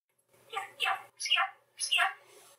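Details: Male pet budgie talking Hungarian to himself and the household: four short, whispery, scratchy word-like bursts separated by brief silences.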